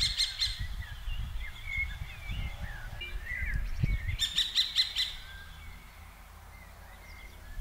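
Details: Two pairs of common kestrels scold each other on 15 June 2023 around hovering birds; a short burst of rapid shrill kee notes opens, another volley follows near the middle, over twittering songbirds and some wind.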